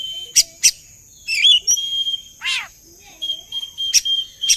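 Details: Lure recording of Oriental magpie-robin song meant to make birds answer and sing along: sharp clicks and short twittered notes, one loud harsh descending rasp, then long flat whistles, over a steady high hiss.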